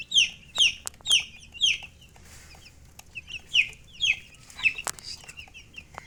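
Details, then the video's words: Baby chickens peep loudly in quick falling chirps, roughly two per second at first, then a brief lull before more scattered peeps; low hum and occasional clicks behind. "Baby "Chicks Chirping" Sound"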